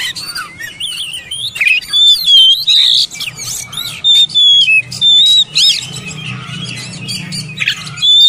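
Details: Oriental magpie-robin song intended to trigger full singing in silent birds: wavering whistles and chirps early on, then evenly spaced short steady whistled notes about every second, with a faint low hum.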